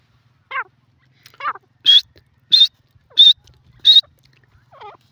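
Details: Francolin calling: two descending, harmonic notes, then four loud, high, clipped notes evenly spaced about two-thirds of a second apart, ending with one softer wavering note. The background is quiet.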